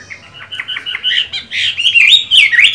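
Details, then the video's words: Chinese hwamei in moult, caged, giving soft warbled notes that build into louder slurred, rising and falling whistles. "Họa mi hót hay, mắt lục đậu, vẫn phong độ khi thay lông"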